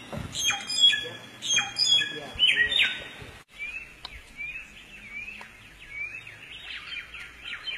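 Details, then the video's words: Samyong singing in the forest: varied whistled phrases with sharp sweeping and rising notes, loud and busy in the first half, then softer slurred notes continuing, with faint background chirps. "suara burung samyong dihutan sungguh indah"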